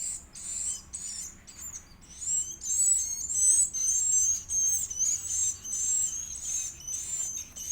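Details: A fed edible-nest swiftlet chick utters insistent shrill begging notes, high and slightly buzzy, rising in loudness midway and repeated in quick, irregular bursts.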